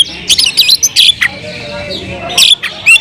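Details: Oriental magpie-robin (kacer) kept caged, giving harsh raspy notes mixed with short whistles in two clumps of sound.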